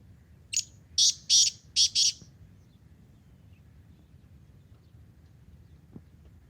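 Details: Black francolin in a forest at morning time giving one loud, grating phrase of five clipped buzzy notes in quick succession, followed by near silence with a faint low background hum.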